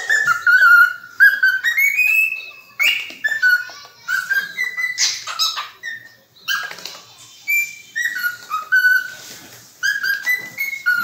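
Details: A cockatiel sings a string of clear whistles that rise, fall and wobble, broken by short harsh chirps and quiet gaps, phrases repeating with small variations.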